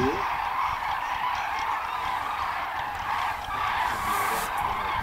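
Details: Common cranes on migration over Hungary; a dense chorus of distant trumpeting calls from a flock, with a brief rising sound at the start and background rumble.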